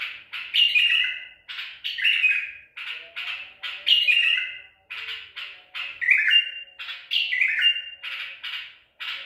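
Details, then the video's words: White-eared bulbul (Baghdadi tor) taken at Medical City and heard 14 April 2021, delivering a steady string of throaty, gurgling phrases with brief pauses. A soft low tone lingers beneath. "تغريد بلبل طور بغدادي"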